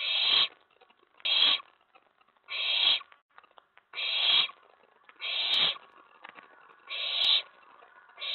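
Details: Nest-box owlet at night in May 2017, excited as an owl lands on the tray following a mouse delivery: a series of seven short, harsh hissing screeches repeated at slightly uneven intervals of about one second.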